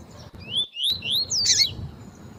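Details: Double-collared seedeater female calling, used to warm up cold males and teach them song: quick thin whistles rising and falling in pitch, followed by a brief rasping buzz. A soft low hum sits beneath.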